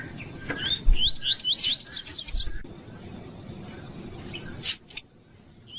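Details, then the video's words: Double-collared seedeater with a female calling to rouse a quiet male: a quick run of upslurred whistled notes climbing in pitch, then scattered faint chirps and two loud clicks over low rumble. "CANTO COLEIRO TUÍ TUÍ COM FÊMEA PIANDO QUENTE PRA LEVANTAR COLEIRO FRIO"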